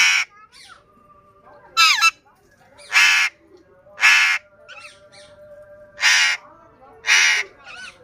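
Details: A pet parrot says different words, six loud, harsh syllables or short phrases spaced about a second apart, some with wavering harmonic sweeps, over a steady faint background tone.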